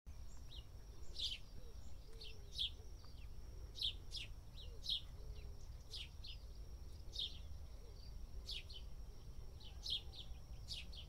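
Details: House sparrows in India, dust bathing, give short, bright chirps, singly or in quick pairs about once a second, over a steady high insect-like whine and low background rumble.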